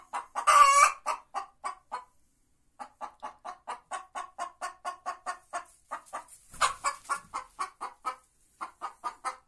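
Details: Singing white Leghorn hen gives a harsh squawk, then rhythmic short clucks in a regular series, a brief pause, more clucking, another loud rasping cry midway, and clucking again.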